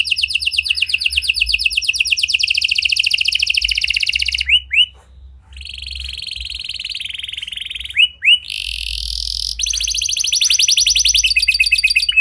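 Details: Canary performing a lure song with unique cengkok to get quiet canaries singing: long stretches of fast, dense high trills broken by short rising slurs and a steadier buzzy tone, resuming into rapid trilling.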